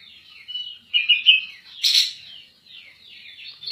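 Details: Bulbul in steady full song, used as a model for training other birds: continuous warbling and chattering notes with bright whistled phrases, broken by one brief sharp broadband burst midway.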